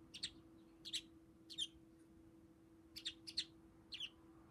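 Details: Tame household budgerigar lifting one foot and seemingly chattering at its owner, giving separate bright chirps roughly every half second, some doubled, against a quiet room with a low steady hum.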